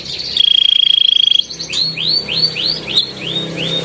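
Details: Canary in full song, delivering a long rolling style with dense rapid bursts: a fast, even buzzing trill on one high pitch, then a series of upward-curving whistled notes repeated about three times a second. Faint low hum behind.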